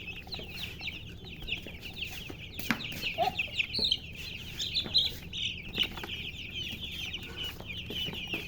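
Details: Chicks of domestic chickens chirping: a dense chorus of high, quick, downward-slurred peeps that overlap continuously, with a few louder single peeps standing out.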